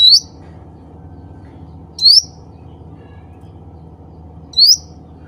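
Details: Three clear rising whistled chirps from a cucak ranting bulbul calling to fellow birds, spaced about two to two and a half seconds apart, with a quiet steady hum beneath.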